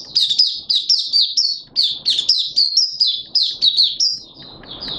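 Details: Oriental white-eye (Malaysian mata puteh), a songbird of the bird hobby, in buka sing style: rapid, high, sweet chirping notes strung into fast twittering runs, with a soft rustling noise near the end.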